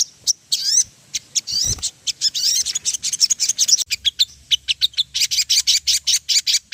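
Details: Crimson-breasted flowerpecker (sogon) song played as a lure to stir birds into singing: rapid, very high ticking chips and short twittered phrases, loud and continuous, with some sweeping notes early on.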